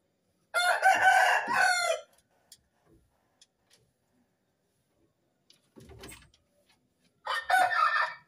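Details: Rooster crowing before dawn on a cool morning: a loud, harsh, multi-part crow lasting about one and a half seconds, then near silence with a faint low rumble, and a second crow beginning near the end.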